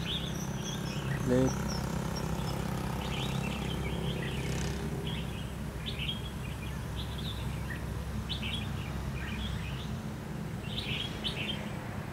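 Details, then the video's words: Red-whiskered bulbuls calling as decoys at a trap, 23 October 2016; fairly soft, quick warbled phrases spaced through the recording, one brief knock early on, and a persistent low hum underneath. "Bẫy chào mào bộ khủng nết chơi lăng xăng tít mù"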